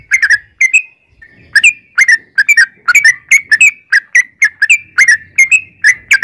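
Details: Lure song of a yellow-vented bulbul meant to make others sing back. After a brief pause, liquid, chuckling two-part notes follow one another quickly and steadily, bright and clear.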